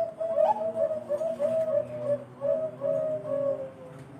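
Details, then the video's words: Zebra dove of the Bangkok type, a perkutut prized for its special, thick voice quality, sings a series of soft, mellow cooing notes, each phrase repeated about every half second over four seconds, heard indoors. "BURUNG PERKUTUT BANGKOK SUARA ISTIMEWA"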